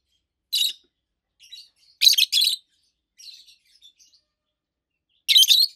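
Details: Two adult peach-faced lovebirds, also called rosy-faced lovebirds, kept at home, produce loud, high, rasping chirps: a single burst, a close double burst, faint chatter, then another loud burst.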